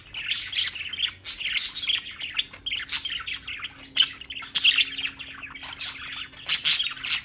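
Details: Steady bird chatter recorded in New York: a continuous stream of sharp chirps, scratchy squawks and quick tweets, with several louder accented notes and a faint low steady hum underneath.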